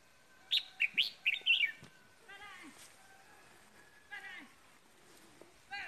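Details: Red-whiskered bulbul used as a decoy bird, Ba Vì, Vietnam, after Lunar New Year; a burst of four loud rising chirped notes opens, then quieter harmonic calls and a human voice in the background.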